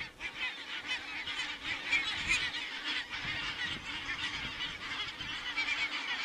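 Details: Honking geese in Estonia, 27 September 2017, heard on a crane webcam: a loud, continuous mass of nasal calls with brief sharper peaks, many birds calling at once.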